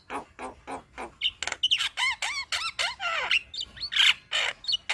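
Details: Chattering Javan myna on a master recording for training birds: several harsh grating notes, then bouncy rising-and-falling whistles interleaved with rasping bursts.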